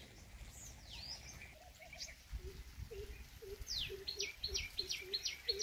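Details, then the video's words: Purple sunbird in Ranthambore National Park, Rajasthan, India: a fast run of sharp, high, rising chips repeated several times a second, with lower, softer repeated notes from another bird and faint outdoor background noise. "Purple Sunbird Sound"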